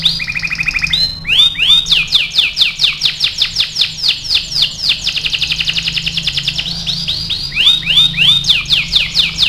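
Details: Canary singing vigorously as a master song for training: a held whistled tone, then long rapid series of rising slurs, a fast steady trill, and more quick looping phrases.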